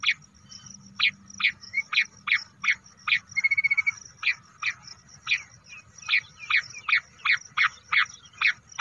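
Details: Bush quail calling, the sound used to lure birds in hunting: short sharp buzzy notes repeated almost three times a second, with a brief high rattling trill in the middle and a faint low hum beneath.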